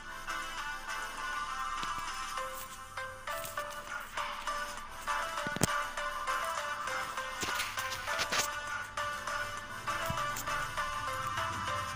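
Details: Steady melodic music with ringtone-like tones plays throughout. No animal voice stands out above it.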